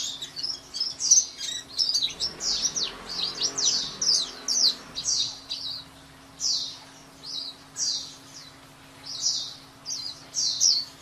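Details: White-eye singing a long run of quick, high, down-slurred chirps, busy at first and then spaced into evenly repeated notes, a low hum in the background.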